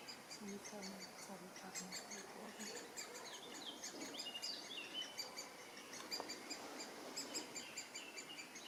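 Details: Eurasian blackcap sings a quick, varied warble of high chirps and fluty notes in Drwinka river park, Kraków, Poland, during a guided bird walk; other small birds call nearby and people talk quietly.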